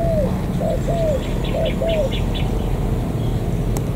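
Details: Wild-caught spotted dove near the An Giang border crossing, Vietnam: a run of short, downward-curving coos, about five in two seconds, over a heavy low rumble like an engine, with a sharp click near the end.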